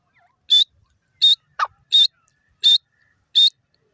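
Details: Grey francolin calling: loud, sharp, high whistled notes repeated steadily about every 0.7 seconds, each brief and clipped, with one lower, softer note slipped in between.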